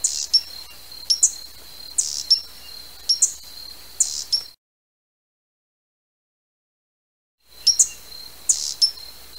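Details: High, thin double chips from a hummingbird, repeated about once a second with a steady shrill tone underneath, broken by a few seconds of complete silence before the chipping resumes.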